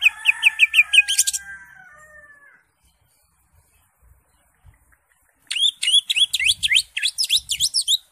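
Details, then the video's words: Greater green leafbird, crest raised, singing in gacor full isian style for masteran tutoring: a rapid run of bright whistled notes with a falling slur, a quiet pause, then a loud burst of quick up-swept chirps. "CUCAK HIJAU (ijo) NGENTROK JAMBUL GACOR FULL ISIAN"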